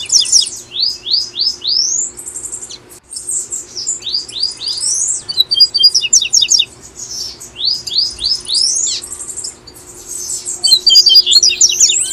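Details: Tui-tui song from a Brazilian double-collared seedeater, used as a singing stimulus for caged birds: repeated bursts of fast rising whistles, several per second, interspersed with clusters of short sharp chips over about twelve seconds.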